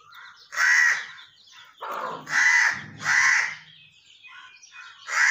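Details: Pet talking parrot giving loud, harsh, raspy squawks, four strong calls about half a second each with short gaps, plus softer chattering notes between them, indoors with little other sound.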